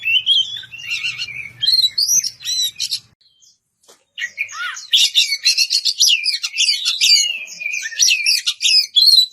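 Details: Kacer, the Oriental magpie-robin, calling out a rival with ringing ngeplong song: bright whistled and chattering phrases, a brief silent pause midway, then a dense rapid burst of varied twittering notes.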